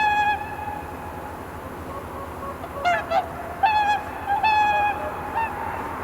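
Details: Swans on Kotoku-numa pond, Japan, in the dawn blue hour: after a quiet pause, a cluster of brassy honks, some short and clipped, others drawn out, with faint wind rumble from the camera's built-in microphone.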